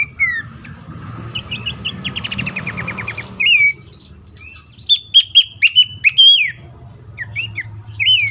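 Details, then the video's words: Horsfield's babbler lure call for reluctant caged birds: a rapid stuttering series of short notes, then sharp whistled notes repeated in a quick burst, with a few swooping whistles at the end. "pelanduk semak ngecall pancingan ampuh burung bahan,macet,stress,susah bunyi agar cepat ngeplong."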